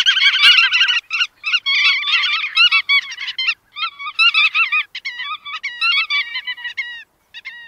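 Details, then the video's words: Several bar-tailed godwits calling together. A dense, loud nasal chatter at first thins into separate short upward-bending notes given in quick bursts with short pauses. "Tiếng Chim Choắt Đuôi Vằn"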